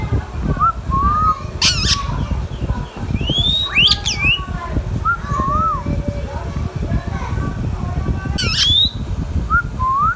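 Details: Talking Indian ringneck parrot kept as a pet utters a mix of short upslurred whistles, quick wobbling squawks and brief swooping notes, with sharp harsh bursts around the middle and near the end, over steady low background hum.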